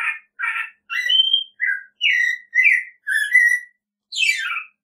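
An American robin carols about eight short, rich whistled phrases in under five seconds, ending with a higher, buzzy descending note; no other sounds.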